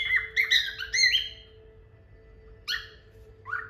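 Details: Indoor pet cockatiel, one of a pair, whistles a quick run of bright, warbling notes, then two separate short squawky calls, with a steady low hum in the background.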